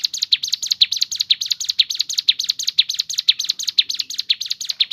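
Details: Crescent-chested babbler, ciblek gunung, natural song used as a lure for singing birds: fast, even stream of high buzzy chirps, around two per second, with a silent background.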